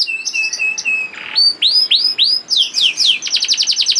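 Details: Song of a young canary intended to set off singing in other canaries: repeated level whistled notes, a rasping burst, arching upward-then-down swoops, then a fast buzzy rattle.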